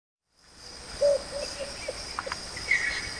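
A single low, hollow hoot from a Russet-crowned Motmot, followed by a few faint softer notes, over a steady high insect drone and a brief thin chirp.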